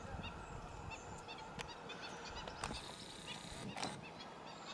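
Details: Black-winged stilt chicks at Arucas, Gran Canaria, on 28 June 2018 give short, high peeping notes, repeated several times a second, over a steady background hiss and a few sharp knocks.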